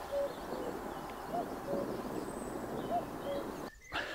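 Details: Common cuckoo (Cuculus canorus) calling in the distance at Shillito Wood, among heathland, woodland and moorland, after being seen singing from a treetop in May. Soft, falling two-note 'cu-ckoo' calls come about every 1.5 seconds, with faint songbirds.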